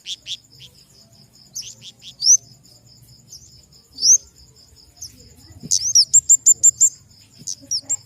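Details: Flowerpecker, a bird of the family Dicaeidae, giving thin, very high chirps and rising slurred notes at irregular intervals, ending in a quick burst of about eight sharp ticks, over a steady high insect-like drone.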